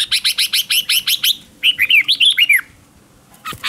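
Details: Red-whiskered bulbul decoy song for luring wild bulbuls: a rapid run of about ten sharp, evenly spaced chips, then a fast phrase of rising-and-falling warbled whistles, a pause, and a brief loud burst at the end.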